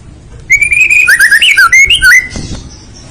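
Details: Short burst of 'full isian' song from a murai batu (white-rumped shama): a run of clear, wavering whistles rising and falling over low background hum.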